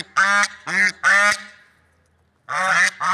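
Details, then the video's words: Brassy, nasal swan honks outdoors: three quick calls, a pause of about a second, then two more calls. "Funny Sounds and Noises of Lovebird Swans in Nature"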